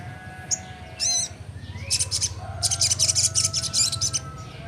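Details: Young crimson sunbird singing: a burst of high, thin chirps followed by a rapid, bright, twittering run of sharp high notes, with a steady low hum underneath.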